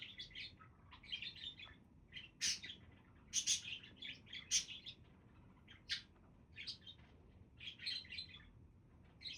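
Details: Budgies chirping busily, a near-continuous run of rapid, buzzy warbled chirps and sharp clicks at uneven intervals, over quiet background hiss.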